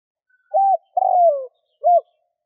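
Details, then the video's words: Spotted dove cooing to lure wild doves: short arched note, long descending coo, then another short arched note, clean and quiet background. "Tiếng chim cu gáy kích bổi"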